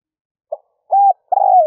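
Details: Spotted dove lure bird cooing at dawn for wild doves: a faint short note, a steady level coo, then a long rolling coo sliding lower. Nothing else audible.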